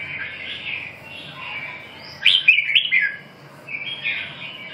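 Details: Red-whiskered bulbul song: soft, wavering phrases rise into a loud burst of quick, tumbling whistled notes, then fade to quieter chirps against a constant low electrical hum.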